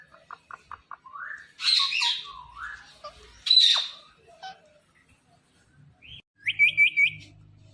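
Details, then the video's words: Talking Indian ringneck parrot: a series of soft ticking clicks, gliding voice-like notes, two harsh screeches, then a quick four-note rising trill, with faint low room noise. "Parrot Talking Everything"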